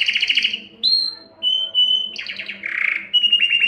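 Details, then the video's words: Male canary singing to attract females for breeding: short buzzy trills alternate with pure whistled notes and a rolling warble, phrases changing every half second or so. "تغريد كناري للتسميع و تحفيز الانات للتزاوج 38- Canário cantando para atrair fêmeas para a reprodução"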